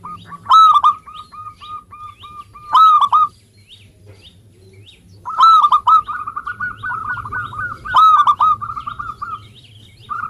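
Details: Zebra dove, a local Indonesian bird used to lure others into singing. Loud burry coos begin each phrase, followed by trains of short, clipped notes, with pauses of a couple of seconds between phrases and faint background chirps.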